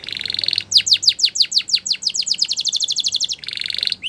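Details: Training song of a canary: a buzzy roll, then a quick run of steep downward-swept chirps that speeds into a smooth trill, ending in another buzzy roll.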